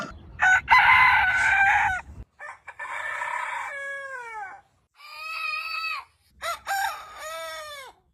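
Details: Aseel rooster crowing in several bursts: a harsh rasping opening, then separate drawn-out calls that arch up and fall away, with short silent gaps between them.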